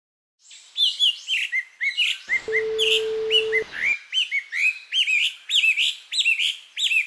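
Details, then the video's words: Japanese white-eye singing in summer, recorded at close range in mid-July: a fast, dense run of high, twittering warbled notes with complex phrasing, bouncing up and down almost without pause, interrupted by a steady beep tone lasting about a second. "メジロの鳴き声 夏のさえずり"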